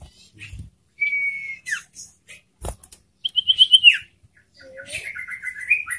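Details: Loud, clear song of a caged ashy tailorbird: a level whistle, then a quavering trill falling away, and a long wavering whistled phrase with a few faint clicks between.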